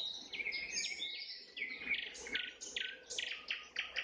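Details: Nightingale singing at sunset, mixing sliding whistles and buzzy notes, then a string of evenly spaced sharp pulses repeated at a brisk, regular beat.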